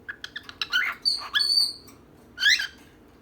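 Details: Female and male pet birds vocalizing: a row of rapid ticking chirps leads into drawn-out, grating squawks, a short pause, then one more rough, wavering squawk.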